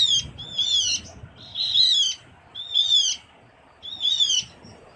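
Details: Javan grey-throated white-eye, a small forest bird on Java, used as lure sound: four separate bursts of sharp, high, down-slurred chirping notes, spaced roughly a second apart, with quiet gaps.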